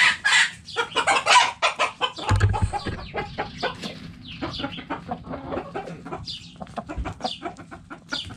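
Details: Hens in a backyard coop clucking steadily, short rhythmic clucks about once a second with a busy overlapping chorus of softer clucks and squawks behind.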